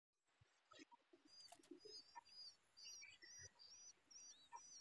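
Babbler chicks give thin, high squeaky calls, several overlapping, repeated about twice a second, with a few soft thumps and rustles underneath.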